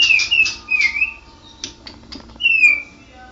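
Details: White-rumped shama, a national champion bird, opens with quick rasping chirps and a slurred whistle, falls mostly quiet with faint ticks, then ends on one long, descending whistled note.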